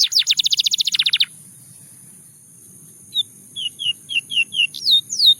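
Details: Russian singing canary in full song: a fast rattling trill of high notes for about a second, a pause of near silence, then spaced clear whistled downslurs that grow longer and louder, over a faint low hum.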